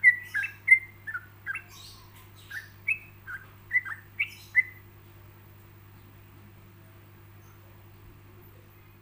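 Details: Yellow-vented bulbul song for other bulbuls to imitate, delivered with pauses: about ten short clear whistled notes in the first five seconds, slurred and varied in pitch, then silence apart from a low background hum.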